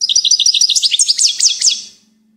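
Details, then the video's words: Goldfinch singing a fast, continuous run of sweet high chirps, shifting into sharper downslurred notes before fading out after about two seconds. "Gold finch TOP SONG of the day"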